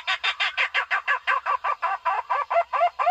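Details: Barbet used as a lure call, giving a fast run of about eighteen rough, nasal notes, roughly five or six per second, steady in pitch with a slight rise toward the end.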